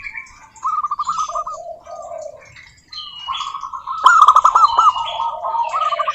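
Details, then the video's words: Local zebra doves singing to provoke others into song: rippling trilled coos, a lower soft phrase answering a higher one, then a loud rolling burst with several birds calling together. "Suara Burung Perkutut Lokal Gacor OBAT MACET BUNYI, pancingan perkutut agar bunyi jamin NYAUT EMOSI"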